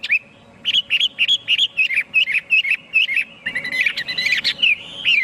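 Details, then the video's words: Chinese hwamei delivering a fast string of loud, evenly spaced whistled notes, followed by a more tangled, complex phrase of varied notes. "tiếng chim hoạ mi hót cực hay"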